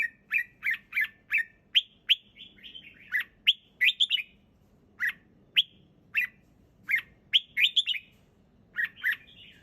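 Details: Relaxed red-whiskered bulbul song, clear and loud: a fast sequence of bright chirps and rising whistles, then spaced ringing notes about every half second, over a faint low hum.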